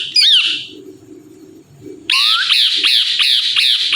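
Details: Talking Indian ringneck parrot, described as saying "Mithu Mithu": one sharp screech, a quiet pause with low hum, then loud harsh squawks repeated about three times a second until the end.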